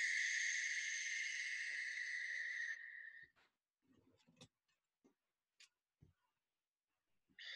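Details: Barn owl giving one long, harsh, hissing screech lasting nearly three seconds, played back for memorizing bird sounds, followed by scattered faint clicks and a short burst at the end.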